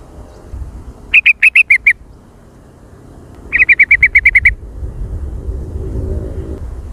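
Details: Sooty-headed bulbul lure call in the very active, noisy jontrot style: two quick bursts of about seven sharp, chirping notes each, separated by a pause, over low background rumble.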